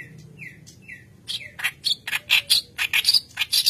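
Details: White-browed kerak basi in full song, used as a training lure: three slurred whistles open the phrase, then rapid loud grating and buzzy notes tumble out in an uneven stream, some with piercing high squeaky tones.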